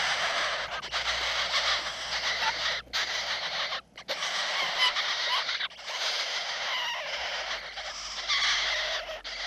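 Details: Young Eurasian jays compete fiercely for food at feeding time. Harsh, raspy, almost continuous calls overlap, broken by brief pauses near three, four and six seconds. Occasional thin tonal squeaks rise above the rough chorus.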